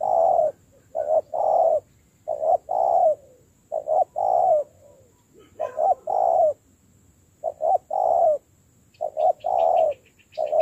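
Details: Newly caught spotted dove in decoy training coos continuously in low mellow phrases, short notes leading to longer ones, with faint thin chirps from other small birds near the end.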